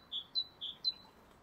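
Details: A great tit near an allotment wildlife pond, calling from just overhead, gives a bright, ringing two-note phrase, a lower note then a higher one, repeated twice in quick succession against a quiet outdoor background.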